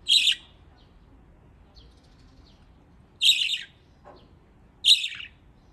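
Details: Budgerigars kept as pets in Japan, playing in water: three harsh, buzzy chirps about one and a half seconds apart, plus a soft tap in between.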